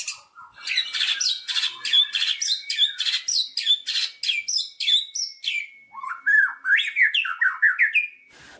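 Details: Indonesian white-rumped shama song: a long, varied stream of rapid chirps, harsh notes and whistled slurs, with a faint steady tone underneath, ending in looping, lower whistles.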